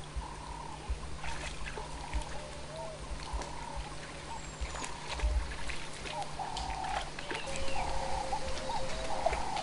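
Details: A ring-necked (Cape turtle) dove (Streptopelia capicola) at a pan where wild dogs drink after their midday siesta repeats its hoarse three-note "work harder" coo over a low rumble and soft trickling water.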